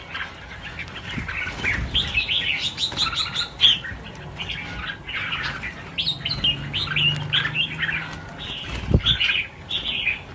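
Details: Many red-whiskered bulbuls (Pycnonotus jocosus), about a thousand being released, chatter together in a dense run of bright, bubbly chirps and short whistled notes, with wingbeats and a low background hum.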